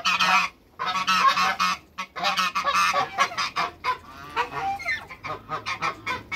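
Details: Backyard group of three African geese, two ganders and one female, giving a dense run of harsh, overlapping nasal honks, then quieter broken, chattering calls toward the end.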